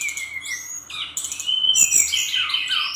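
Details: A Bali-type brown-chested jungle flycatcher in lively song. A long, even whistle is followed by rising slurs and a dense, twittering stretch of high notes that fades downward.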